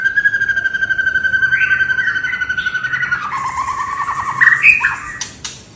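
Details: White-rumped shama in an emotional, non-stop singing bout meant to provoke other birds: a long, steady, pure whistle, then a fast descending rattling trill, ending in sharp higher chirps and a harsh burst.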